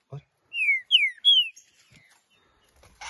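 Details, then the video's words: Green-winged saltator held in the hand, singing three bright whistled notes in quick succession, each slurring downward. A faint click and a soft noise follow afterwards. "trinca-ferro cantando"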